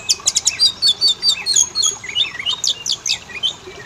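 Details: Oriental magpie-robin song played to make males and females sing: rapid high chips and rattles opening into varied whistled and rising slurred notes, delivered in an unbroken, lively stream.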